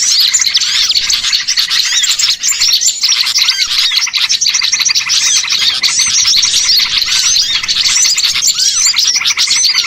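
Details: Many small birds calling at once, played as a lure to make birds gather for capture: dense high chattering with repeated rising and falling whistled notes mixed into rapid chips.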